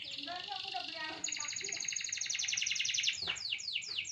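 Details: Singing canary opens with a mixed warbling phrase, then launches into a fast, bright, high trill that ends in several steep descending sweeps.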